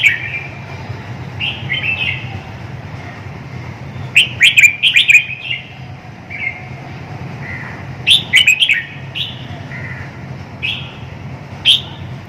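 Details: Lively red-whiskered bulbul song: bursts of clear whistled, warbling phrases with sharp clicks, repeated several times over twelve seconds against a faint low background hum.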